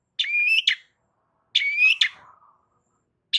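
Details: Long-tailed shrike singing loudly to provoke a reply from other shrikes: long rising whistled slur ending in a harsh chip, repeated every second and a half.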